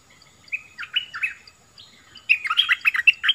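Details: A bulbul (merbah lekir) gives bubbly, chattering warbled phrases at mid-high pitch, a short burst followed by a faster, busier run of notes.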